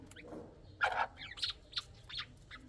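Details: Several chukar partridge chicks calling: a loud, rough squawky note followed by a scatter of quick, high chirps and peeps at uneven intervals.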